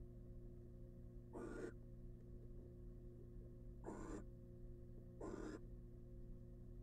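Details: Barn owl mother incubating eggs in a wild, research-monitored nest box; three harsh, noisy hisses, the later two closer together, over a steady low electrical hum.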